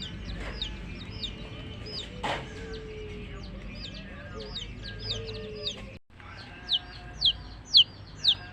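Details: Baby chicks chirping, many high hooked peeps in quick succession, a short silent break, then louder single chirps spaced about half a second apart, over faint low hum.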